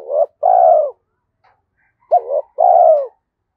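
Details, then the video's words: Spotted dove cooing in the 'thổ' voice of 'Thúc Đấu' type, said to match the forest when going trapping. Two phrases about two seconds apart, each a brief rising-falling note and a long, even, slightly dropping coo. Background otherwise silent. "cu gáy giọng thổ Thúc Đấu giọng hợp rừng khi đi gài"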